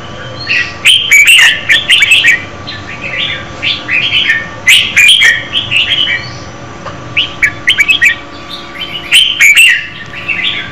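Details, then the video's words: Female red-whiskered bulbul sings to stimulate a male: repeated bursts of bright, jumbled warbling chirps, three main phrases spaced a few seconds apart with sharp clicky notes mixed in, over a low steady hum. "Chào mào mái hót kích trống Red-whiskered female"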